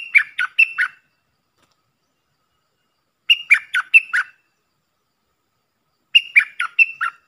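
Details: Puff-throated bulbul call played as a decoy for training young birds: short bursts of four or five harsh, squeaky chattering notes, repeated about every three seconds with clean silence between them.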